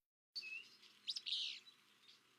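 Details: Willow Flycatcher, a small perched summer breeder at Kankakee Sands, Newton County, Indiana, gives one sneezy, buzzy 'fitz-bew' phrase, high and burred, after a thin opening note.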